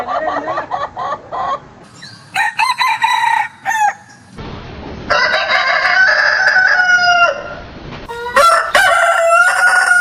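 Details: Several roosters on a chicken farm crowing in turn: a run of short pulsed notes, then stuttered crows, a long held crow mid-way and a sharp final crow.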